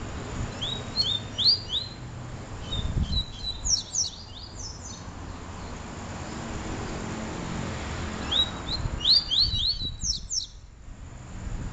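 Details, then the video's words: Double-collared seedeater (papa-capim) song from a comparison of the Peteleco and Desejo song styles: two bursts of fast, high twittering notes with quick slurred sweeps, around one and nine seconds in, over a low rumbling background. "Papa Capim Peteleco Vs Papa Capim Desejo"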